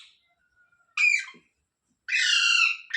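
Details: Rose-ringed parakeet kept as a pet: a thin whistle, then a short harsh squawk, a pause, and a longer grating screech with a rough, layered tone.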